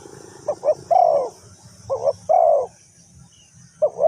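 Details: Low, mellow coos of a Spotted dove from a decoy trapping session in Ninh Thuận: paired short notes leading into a longer sliding coo, heard twice, with a third pair starting at the end; soft background hiss.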